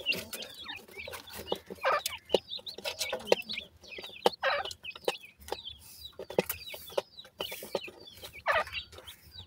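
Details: Feeding and playing black francolin chicks (dakhni and sindhi teetar) give thin rising and falling peeps, some louder and lower, among frequent dry pecking clicks and taps, with a faint constant hum beneath.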